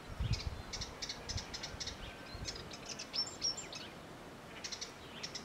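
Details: Western subalpine warbler singing in Albania: a faint, scratchy string of rapid chattering high notes in short bursts, with a few thin whistles, over steady background hiss.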